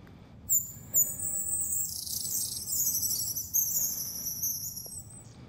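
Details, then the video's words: Wild long-tailed tits in a Moscow Oblast winter, January, at the Zvenigorod Biological Station: dense overlapping chatter of very high, thin, twittering notes from several birds, continuous for about four seconds. "Длиннохвостая синица. Long-tailed Tit. (Aegithalos caudatus). Январь. January."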